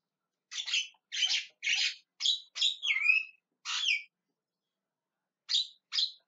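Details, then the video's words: Javan myna (jalak kebo) calling: seven harsh, buzzy squawks in quick succession, one ending in a falling whistled slur, then a pause and two more short rasping notes. "JALAK KEBO TERIAK TERIAK MEMANGGIL"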